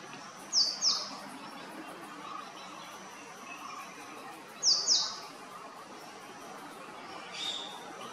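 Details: Male purple sunbird calling: paired high, sharp descending notes, given twice about four seconds apart, with a fainter third note near the end; soft lower chirps from other birds in the background.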